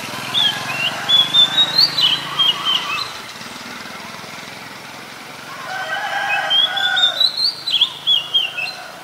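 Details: Oriental magpie-robin singing in the wild: two bursts of loud, varied whistled phrases, sweeping and rising high, with rapid repeated notes, separated by a quiet pause.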